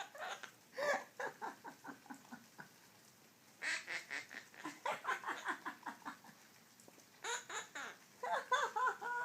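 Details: Pet quaker parrot laughing: bursts of rapid, chuckling harmonic notes in quick runs, pausing between bouts, with a quiet room behind.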